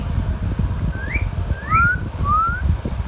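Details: Young green Indian ringneck parakeet kept as a pet, producing four short, clear whistles: two upslurred notes alternating with two smooth, rising glides, spaced about half a second apart, against a steady low rumble.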